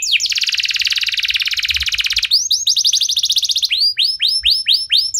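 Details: Canary pancingan song for triggering other canaries: a long dense buzzy trill gives way to rolling repeated notes and slower, widely spaced falling whistles.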